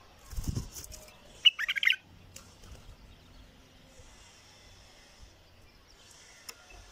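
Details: Bulbul gives a single quick phrase of rapid chirpy notes, preceded by a low thump and followed by quiet background with faint high hiss.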